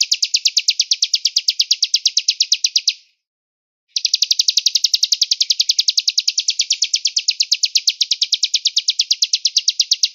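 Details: Velvet-fronted nuthatch singing a rapid, even trill of bright, high chips. The first burst lasts about three seconds, then comes a one-second pause, and a longer matching trill follows. No other sounds are heard.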